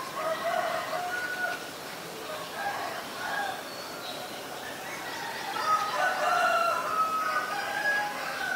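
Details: A common myna (Acridotheres tristis) in Ubon Ratchathani, Thailand, on 15 March 2021 gives a steady run of varied mid-pitched calls, harsh chatters mixed with gurgles and short whistled notes, with no clear pause.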